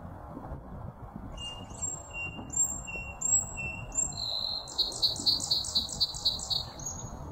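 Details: Song sparrow singing at South Meadows on 18 March 2024: a few separate high, clear whistled notes, then a fast, rattling trill of about eight notes, ending on one thin high note, over a steady low rumble.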